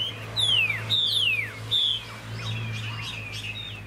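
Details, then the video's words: Caged Chinese hwamei, a long-bodied bird kept for tail-fanning fights and good singing, pouring out loud whistled notes that slide steeply downward, three in a row, then a softer jumble of twittering phrases over a low steady hum. "Họa mi dáng ngũ trường, đấu xòe, hót tốt"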